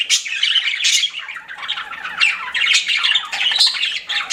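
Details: Pet budgies chirping in a dense, scratchy warble, rapid buzzy and whistled notes tumbling together without pause, with louder bursts near the start and end.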